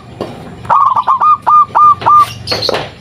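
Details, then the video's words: A local zebra dove lures other doves with its call: about eight crisp, even coo notes in a fast staccato run, ending with a brief high squeak and scrape. "Perkutut Lokal Gacor RAJA PIKAT Ahlinya Bikin Semua Burung Perkutut Pada Nyaut"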